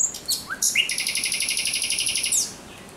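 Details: Nocturnal thrush nightingale song, 17 May 2023: rising whistled notes lead into a long, evenly pulsed rattle of about eighteen fast repeated units, ending with a downward sweep.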